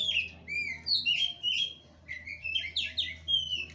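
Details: Kacer, the oriental magpie-robin, singing 'gaya kura kura' fighting style: clear, slurred whistles repeated in short phrases, some rising, some falling, against a soft low hum.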